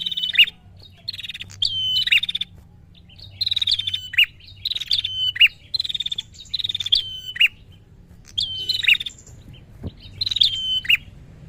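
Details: Prinia, agitated and calling to lure a rival, gives repeated bursts of sharp, high buzzy notes with clicking accents, each burst about a second long and separated by short pauses, with a low steady hum beneath.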